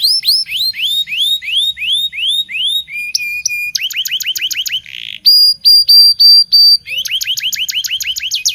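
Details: Local canary song used to teach young canaries to sing: rapid rising whistled rolls, a brief steady flat tone, quick trill runs, a buzzy burst, then loud clipped repeated notes and more fast rolls, varied and energetic, nothing else audible.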